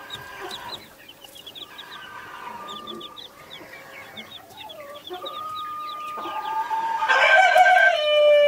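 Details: Naked Neck mother hen with Brahma, Australorp and Sussex baby chicks: quick high chick peeps throughout over soft low clucks and a steady hum, ending with a loud, drawn-out, harmonic crowing call.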